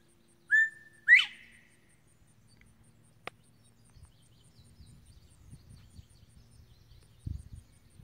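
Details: Male Bobwhite quail singing while perched on a slash pile of dead trees and treetops: one loud two-part whistle, a short level note followed by a sharp, rising upslurred note, then quiet with faint rustling and low thumps.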